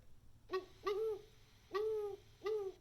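An owl gives four low, mellow hoots, each slightly arched in pitch, spaced irregularly over about three seconds, with a quiet room in the background.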